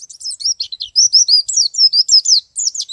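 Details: Male white-eye in ngalas and nembak song style, delivering loud, high, rapid twittering, with wavering whistled slurs that rise and fall in quick succession and brief pauses between phrases.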